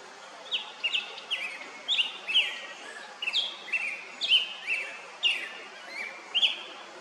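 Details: A male Black-headed Grosbeak, recorded on 21 May 2024 at 11:43, sings a run of rich, whistled phrases rising and falling between high notes, about one each second, over faint background hiss.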